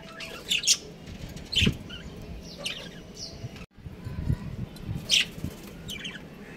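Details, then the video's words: Chirping from a breeding pair of pet budgerigars: short high chirps and warbles in loose groups, with a brief cut in the middle, low knocks and a constant background hum. "Adorable Budgies Chirping Sounds"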